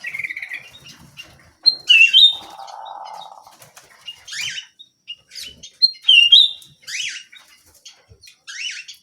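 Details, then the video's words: Actively singing small canary: a brief trill, high sweeping chirps and a clear whistled slide, broken by a low buzzy rolling trill lasting over a second, then more repeated sweeping phrases. "BURUNG KENARI MUNGIL GACOR"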